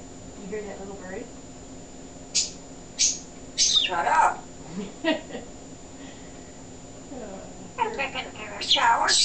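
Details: A male African grey parrot during a talking session, producing speech-like phrases with short, sharp, high squeaky notes between them and quiet pauses.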